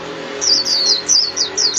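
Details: Japanese white-eye song used for training caged birds: quick high, slurred chirps repeated about every quarter second, bright and loud, with a faint low hum underneath.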